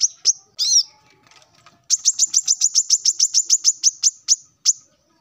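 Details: Two loud high chirps, a pause, then a run of about sixteen sharp, high, repeated notes that slows toward the end: a male plain-throated sunbird singing at rivals in the morning.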